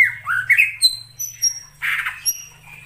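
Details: Greater green leafbird in the wild forest, mixing upward-sliding whistles and thin high notes with a coarse, rasping squawk partway through.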